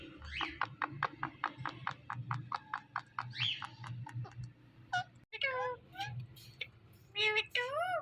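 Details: Pet Indian ringneck parakeet talking: a rapid train of short clicking pulses runs for about five seconds, then comes a short pause, followed by several drawn-out, speech-like phrases with wavering, sliding tones.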